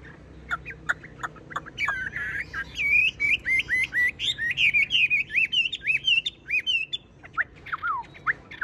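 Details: Caged Chinese hwamei, tame and still singing when the cage is moved: separate falling whistles build into rapid trilled, zigzag phrases, then ease back into a few clear downward-sliding notes.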